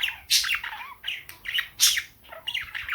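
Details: Pet cockatiel, female, in full morning song indoors with budgies chiming in; bursts of harsh squawks and bright chirps every half second or so, with warbled notes between loud peaks.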